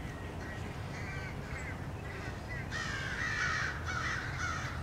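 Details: Crows mobbing a male bald eagle back at its nest on 30 March 2016: harsh caws, faint at first, then a loud overlapping burst of grating calls in the second half, over steady low rumble.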